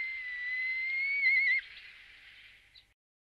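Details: Red kite (Milvus milvus) in La Moraña and Tierra de Arévalo, Spain, gives a long, thin whistle that climbs slowly, then breaks into a quavering warble before fading; otherwise quiet.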